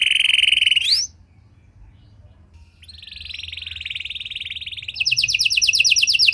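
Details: Lure song of a Panda canary for training other canaries: a steady high note rising at its end, a pause of near silence, then a long buzzy trill building into a fast rattling roll.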